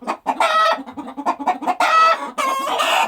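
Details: Chickens on a farm giving quick soft clucks interrupted by loud, strained, nasal cackling squawks, several overlapping calls within a few seconds.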